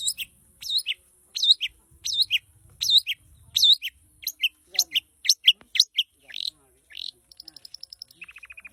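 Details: Long-tailed shrike in lively full song: a fast run of high, scratchy, chirping phrases, some swooping notes, then a quick rattling series of short clicks at the end.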